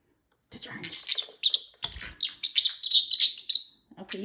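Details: High-pitched, buzzy, rapid speech-like babble from a talking male parrotlet, kept as a pet indoors, runs for about three seconds; a person's voice starts at the very end.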